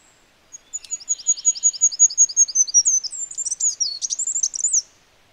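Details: Wild goldcrest song: a very high, thin series of alternating see-saw double notes repeated rapidly for about two seconds, then a hurried jumbled twittering flourish ending the phrase at almost five seconds; quiet background, no other sounds.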